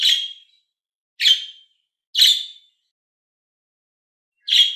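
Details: Pet budgerigars, green and blue birds, calling: short harsh chirps centred high, repeated roughly every one to two seconds with silent gaps, four calls in all.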